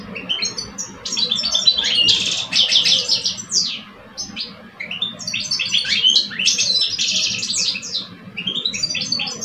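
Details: Two caged male European goldfinches, an older bird and a two-year-old, in an Algerian singing contest. Dense bursts of rapid twittering and buzzy trills with tinkling notes, overlapping phrases in two long runs, a faint low hum beneath.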